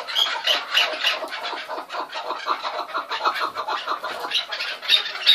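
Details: Chukar partridges (keklik) in a noisy chorus, dense rapid chuck-like notes running continuously and overlapping, with a few thin high squeaks standing out near the start and end.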